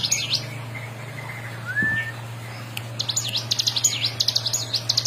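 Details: Bar-winged prinia in continuous 'ngebren' singing used to tutor other songbirds: a brief high burst, a pause with one faint gliding note, then fast sharp high notes over a steady low hum.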